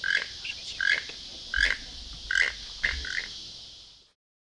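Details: In Costa Rica, a toucan gives a run of dry, frog-like croaks, one every half to three-quarters of a second, over a high insect hiss; its singing is said to announce fine weather the next day.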